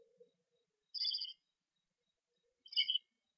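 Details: Eastern screech-owl owlets, on day 4 in a nest box, left alone briefly around 8 PM in the evening, give two short, raspy, high screeches about two seconds apart, with a faint low sound at the start.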